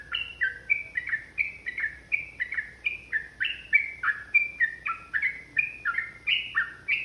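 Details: Fighting-mood ropel song from a yellow-vented bulbul, meant to stir up rival birds. Bubbly whistled notes swing between higher and lower pitches in a continuous, hurried run lasting the whole stretch.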